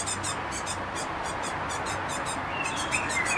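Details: Hungry tit fledglings, newly left the nest in May, call with a steady stream of sharp, high hissing notes repeated a little over twice a second, with a thin whistle from another bird near the end.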